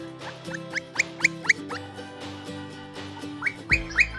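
Campo Flicker giving a series of loud, clear, slightly rising whistled notes, about four per second, over soft steady background music.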